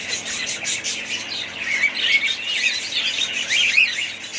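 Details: A budgie group twitters and warbles. Rapid ticking chirps give way to slurred whistled notes and scratchy squawks, all layered in a continuous high chorus.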